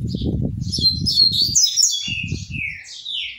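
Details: Double-collared Seedeater in captivity, singing while switching perches: a rapid jumble of high twittering notes, then three clear descending whistles, over steady low rustling and thumping from hops.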